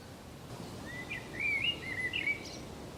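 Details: Common blackbird (Turdus merula) sings a short run of fluty, warbled phrases with squeaky high notes over steady hiss, on the Camino de Santiago at Zamudio, 28 March 2019.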